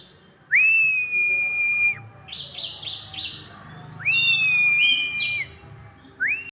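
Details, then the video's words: Kacer, the white-rumped shama, singing richly: long level whistles that swoop upward then hold steady, interspersed with quick stuttering notes and a varied warbled flourish, over faint background hum. "burung Kacer gacor"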